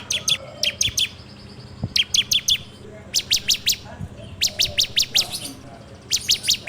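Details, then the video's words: Bar-winged prinia lure song of the 'ngebrem' type, recorded on an Android phone: short bursts of three to five piercing high notes, repeated after gaps of roughly a second. "PANCINGAN SUARA CIBLEK TERBAIK FULL NGEBREM RAPETT!!!"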